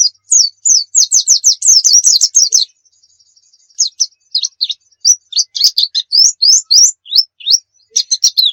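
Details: Oriental white-eye singing energetically as a model for other birds: a rapid chattering burst of high notes, a two-second pause, then spaced, sharp, rising and falling whistles repeated at an uneven pace.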